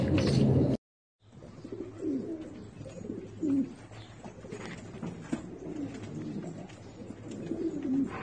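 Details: Turkish Filo pigeons cooing indoors: a brief loud burst, a gap, then soft low rolling coos repeated every second or two over a steady background hum.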